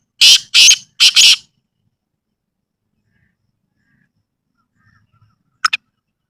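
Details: Black francolin calling in a natural village environment: three loud, harsh, grating notes in quick succession, then a long silence and a brief faint double note near the end.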